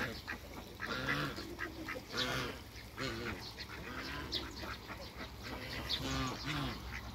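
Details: Hybrid mallard × Pekin ducks, two males and one female, in a backyard quack in short, raspy bursts, several calling over one another in repeated runs, with a steady background hiss.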